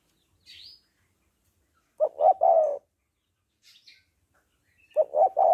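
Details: A female spotted dove coos to stir a male, giving two low, mellow phrases of three quick coos each, several seconds apart, with faint higher chirps from another bird between them.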